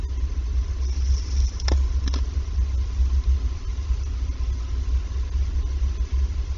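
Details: Heavy low traffic rumble dominates, broken by two sharp knocks early on and a faint steady hum.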